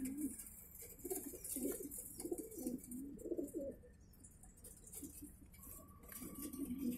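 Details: Racing pigeons at a loft in Ketapang, Indonesia, during the 2018 last race: low throaty coos in bursts of about a second, repeated through the first half, with a steady hiss and faint background noise.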